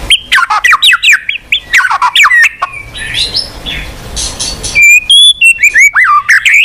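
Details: White-rumped shama, called murai batu, singing to make a silent bird sing: rapid sweeping chirps, a softer fluttering stretch, then clear whistles with downward swoops.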